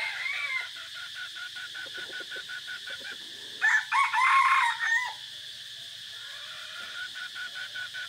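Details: Decoy red junglefowl, 3 April 2024, forest setting; faint repeated ticks and distant calls surround one clear crow of stacked, wavering notes lasting about a second and a half, with steady high hiss throughout.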